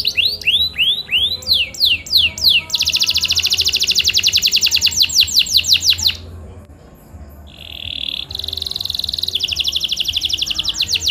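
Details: Canary song played to encourage a quiet bird to sing: a series of rising swooping whistles, then long fast buzzy trills, a short pause, a steady held tone and another rapid trill.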